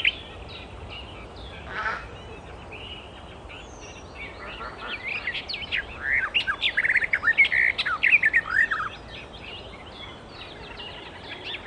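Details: A wild Icterine warbler starts with scattered high notes, then breaks into a fast, energetic three-second run of mixed chirps, squeaky slurs and rattly notes before falling quiet again.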